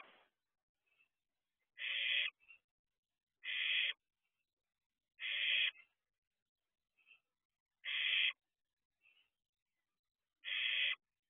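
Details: Barn owlet at an owl box at 4:31 am, dated 6/2/23, looking around outside: five harsh, hissing screeches, each about half a second, spaced two to three seconds apart, with faint short chirps between them.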